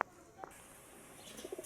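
Pigeon giving a few soft, low cooing notes near the end, after a brief click and a short burst; otherwise quiet with faint background hiss.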